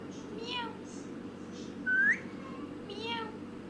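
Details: Parrot vocalizing in front of a selfie camera: short harmonic squawk-like calls sliding downward, one loud rising whistle near the middle, and a second harmonic call near the end, over a steady low indoor hum.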